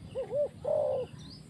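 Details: Spotted dove kept as a decoy for trapping, cooing: two short, soft, arched coos, then one longer, steady mid-pitched coo. A faint low rumble of background noise runs underneath.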